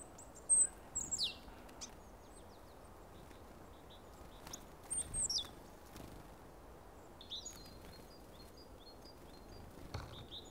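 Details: Willow tit defending its territory at a winter forest bird feeder among other birds, giving thin, high chips and quick downslurred notes in scattered bursts a few seconds apart, over a steady low outdoor hiss.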